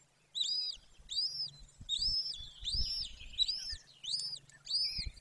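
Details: At a golden eagle nest in Romania's Bucovina Carpathians, 18 May 2024, afternoon: piercing arched whistled notes, about seven in five seconds, with faint low rustles below.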